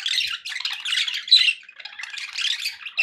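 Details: Happy budgerigars give a short burst of scratchy chirping and warbling, a sharp squeaky note standing out midway, the chatter dipping briefly then picking up again.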